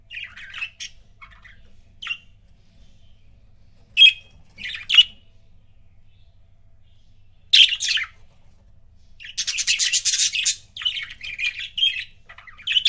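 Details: Pet budgerigar couple chirping indoors: scattered short chirps and squawks with long pauses, then a denser burst of buzzy chattering near the end.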